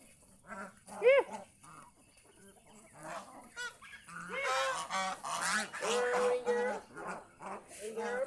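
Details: Geese out in fields near a house, giving sparse quiet calls and a single loud rising honk, before building into a busier chorus of drawn-out and clipped honks.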